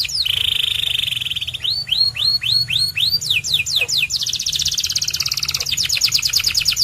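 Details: Song of a white canary. A sustained high buzzy trill leads into a row of rising swooped whistles. Quick falling notes follow, then dense rattling trills, with each tour changing pace.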